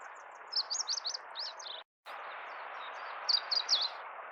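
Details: Meadow bunting, Kita-Harima in central Hyogo Prefecture, Japan, recorded 10 April 2021, giving its "ippitsu keijō" song: a fast string of high, rippling, sliding notes, a brief break, then another short phrase. A broad low background noise runs throughout.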